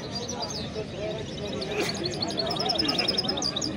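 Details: Hybrid songbird bred from a male goldfinch and a female canary gives a run of quick, high, sweet chirps and short trills, repeated several times a second, against constant low background noise.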